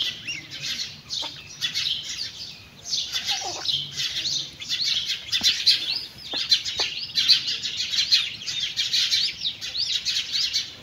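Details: Mother hen and chicks eating together; a continuous chorus of thin, shrill chick peeps, looping up-and-down chirps piling on each other and growing busier toward the end, with a few soft taps underneath.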